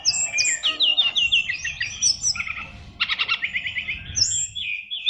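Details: Oriental magpie-robin of the SRDC Fighter line, a caged contest songbird, delivering a dense song rich in fill-in phrases: high whistles, quick descending slurs, then a run of rapid chattering notes and a final rising whistle, over low background rumble.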